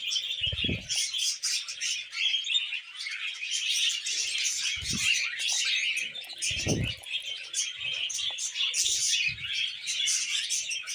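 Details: Two budgerigars sitting on a hand and singing, a constant chatter of high scratchy chirps punctuated by a few low thumps.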